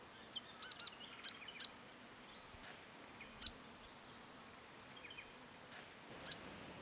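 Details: Grey fantail (Rhipidura albiscapa) in natural woodland, Capertee Valley, NSW, late May or early June: thin, very high squeaky chips, a quick cluster in the first two seconds, then scattered single notes over soft outdoor hiss.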